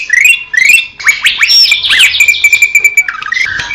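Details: Greater green leafbird singing, recorded in Indonesian nature for a collection of clear master songs: rising whistled slurs, then a long buzzy sustained note with dense twittering over it, ending in lower falling whistles.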